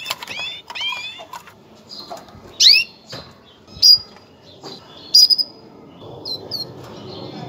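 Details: Female canary giving a mating call meant to prepare males for breeding; clusters of high, steeply descending chirps open the clip, followed by scattered sharp, separated tweets and short whistled notes over faint low background noise.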